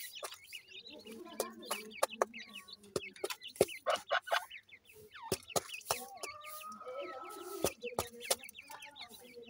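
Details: Grey francolin chicks feeding together, uttering crisp high upward-flicked peeps at irregular intervals amid frequent sharp clicks, with a brief steadier tone in the middle.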